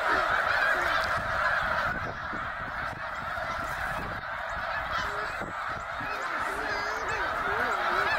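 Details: Huge flock of snow geese on spring migration north, tens of thousands at Middle Creek, Pennsylvania, in 2023, swirling like a tornado and filling the air with a continuous roar of high, nasal, yelping honks, hundreds overlapping with no pause.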